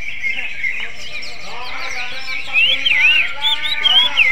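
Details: Greater green leafbird singing in a magpie-robin-like style: loud, quick, wavy whistled phrases rising and falling, starting partway through and repeating, over a steady dense high chattering background.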